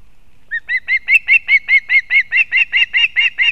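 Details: Osprey calling at a Kurzeme nest in Latvia, 31 August 2024, as the mother delivers fish to the chick. After a short silence, some fifteen piercing, slightly downslurred whistles repeat steadily and evenly, about two per second or faster.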